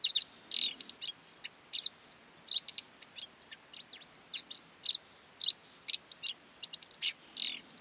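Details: Godlewski's bunting singing in the Mongolian Gobi: a busy stream of high, quick chirps, thin slurred whistles and short sharp notes, nearly continuous with a slight lull midway.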